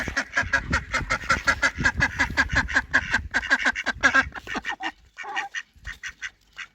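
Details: A male and female duck eating together give rapid, rhythmic quacking, several harsh calls a second for about four seconds, before it thins to scattered quacks and quiet.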